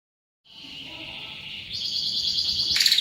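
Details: Greater green leafbird in full singing form, its song rich in mimicry of other birds: a steady high whistled tone that jumps higher and turns into a bright buzzy trill near the end.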